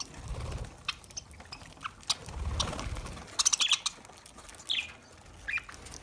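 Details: Several sharp, high chirps from lovebirds feeding on green food, scattered through the second half after low thumps and shuffling at the start.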